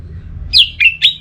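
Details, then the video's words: Orange-headed thrush ngeplong song, meant to spur a sluggish bird into singing: three loud whistled notes, the first sweeping downward, the next two flatter and trailing off, with a fourth note just starting. "ANIS MERAH LOYO Bakal SONTAK NYAUT GACOR dan EMOSI dengar Kicauan Ngeplong ini"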